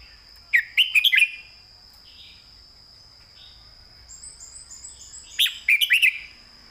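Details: Southern-style master song from a caged red-whiskered bulbul: two loud phrases of quick bubbly whistles at start and end, with a high insect trill and steady hum between them.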